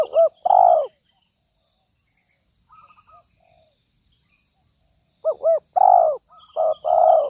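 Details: Spotted dove lure call for trapping: quick paired short coos followed by a long rough coo, repeated after a quiet gap, faint twittering of small birds and a constant high-pitched hiss behind.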